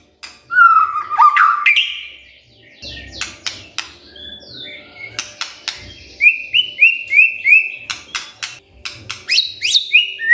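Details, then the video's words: Morning magpie-robin song used as a lure so quiet magpie-robins answer and sing; varied whistles and sharp ticking notes, then a run of short repeated upslurred whistles and a high rising flourish at the end. "Pancingan PAGI PAGI AGAR MURAI GACOR❗ murai diam pasti ikut NYAUT❗❗"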